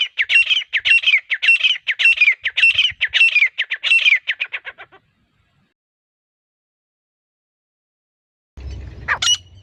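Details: Female grey francolin, recorded as a hunting lure, gives a rapid run of harsh, chattering notes for about five seconds. Silence follows, then one sharp rising call near the end.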